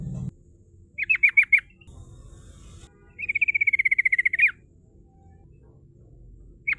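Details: A female sooty-headed bulbul, used as a lure for rival birds, sings four quick sharp notes and then a long, rapid, evenly paced trill of clear notes in the ngerol style, with a soft low rumble beneath.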